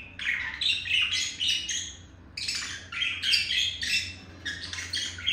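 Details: Chattering budgerigar courtship: a male chirps and beak-taps toward a female, producing rapid scratchy chirps in two dense runs with a brief pause in between.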